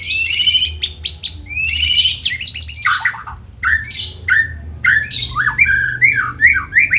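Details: White-rumped shama song for prompting other shamas to sing; harsh rattling bursts give way to varied rich whistles, downward slurs and quick repeated high notes, over a faint low hum.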